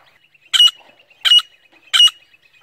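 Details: Female grey francolin calling non-stop in the jungle. She gives loud, harsh, raspy bursts about every 0.7 seconds, three in a row, with clean silence between them.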